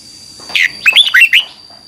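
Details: Red-whiskered bulbul in 2021 singing a morning song for training, double twisting voice: a single phrase of several sharp, rolling whistled notes rising and dipping, with a thin steady high tone behind.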